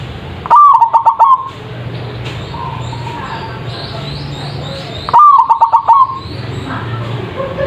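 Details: Loud zebra dove song meant to provoke answering birds: two pulsed cooing phrases of clipped repeated notes, separated by a quiet gap with faint high chirps of other birds and background hiss.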